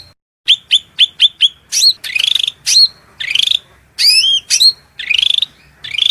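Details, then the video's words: Shrill, loud masteran song of a cucak rante (hill prinia), used as a training recording for competition or home songbirds: a run of sharp, evenly spaced chips, then buzzy rattles and high rising-falling whistled notes. "MASTERAN SUARA MELENGKING CUCAK RANTE GACOR FULL isian Materi mewah"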